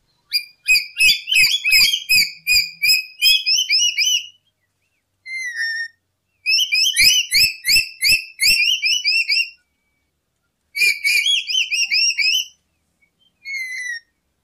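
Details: Lory calls used as a trapping lure: clear whistled notes in rapid repeated bursts, each note rising or hooked, delivered in runs of several seconds separated by short pauses.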